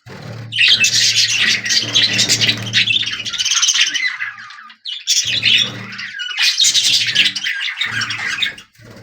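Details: Just-hatched budgerigar chicks with a parent inside a nest box give harsh, raspy begging squawks in two long, continuous bursts over a low hum.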